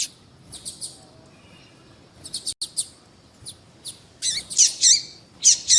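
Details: A female double-collared seedeater calls for a male with scattered thin high chirps, then a livelier run of sweeping squeaky notes near the end, spaced irregularly over quiet low hum.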